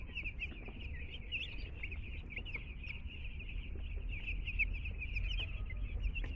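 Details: Group of two-day-old domestic chicks in a new home, cheeping continuously: many thin, high peeps overlapping into a steady chatter, quieter, with a constant low rumbling background.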